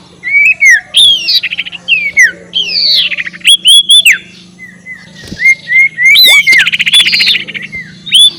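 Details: Ngekek call of the ashy tailorbird, used to provoke rivals: sharp falling whistles and buzzy notes, a string of short level whistles, then a dense rattling burst and more notes.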